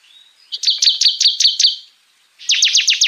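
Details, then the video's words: Bar-winged prinia (ciblek) gives rapid, high, buzzy chips, about six in a quick run, then a short gap and a second fast burst; the recording is used as a lure and song tutor for cage songbirds. "SUARA TEMBAKAN CIBLEK KOMPLIT | CIKRIS GACOR FULL BREN UNTUK PANCINGAN DAN MASTERAN MURAI BATU,KONIN"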